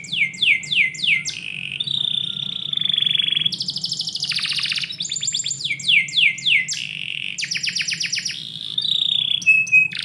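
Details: Domestic canary's morning song indoors, starting with four quick descending whistles, then long steady trills, a loud rattling burst, more falling whistle series and repeated rattles, continuous for ten seconds.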